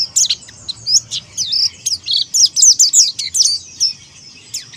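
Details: Rival-challenging ngalas singing from a Monty Oriental white-eye: continuous, very high twittering made of quick slurred chirps and squeaks, packed closely with hardly a pause.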